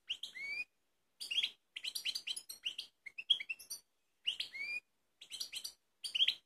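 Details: Goldfinch of Balkan form, Kumanovo, Macedonia, 16 March 2018: repeated short bursts of twittering song mixed with rising slurred whistles, roughly one burst per second with brief gaps.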